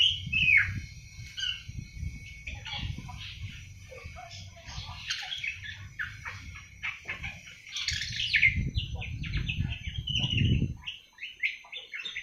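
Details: Seven-month-old awar-awar bird just beginning to sing softly: scattered high, scratchy chirps and short twittering notes in loose, irregular bursts, over steady low rumbling background noise.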